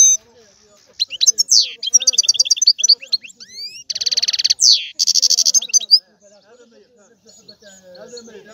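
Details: European goldfinch singing energetically: rising sweeps, rapid tinkling twitters and two harsh buzzy bursts pour out for about five seconds before fading into soft background chatter.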